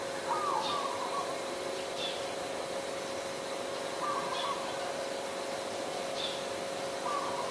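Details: Zebra dove, adult, recorded in Ubon Ratchathani, Thailand, 28 December 2020, giving short rolling coos repeated at uneven intervals, while another bird adds thin high chirps between them against a faint constant hum.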